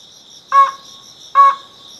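Ruddy-breasted crake giving two short, harsh, nasal notes about a second apart, over a steady high insect drone.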